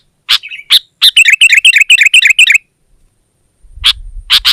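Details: Sooty-headed bulbul singing vigorously to press a rival: sharp broadband chirps, then a fast run of about ten warbled, doubled notes, a pause, and more loud chirps over faint low rumble.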